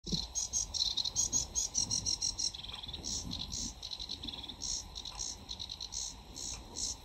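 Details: Sedge warbler, a summer breeding visitor to the UK, singing in full flow: fast, harsh chattering phrases of rattles and buzzy chirps, varied and run together with brief gaps, plus a lower slurred whistle midway.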